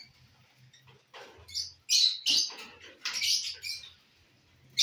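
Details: Lovebirds feeding on corn, sending out scattered harsh, high chirps and screechy bursts over a faint low hum, with quieter stretches between calls.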